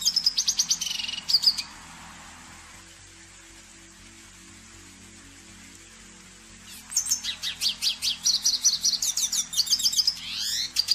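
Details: Red siskin song, Spinus cucullatus: bursts of fast high twitters and trills open the recording, then a pause of several seconds with only a low steady hum, before the chattering song resumes, ending with a rising buzzy sweep.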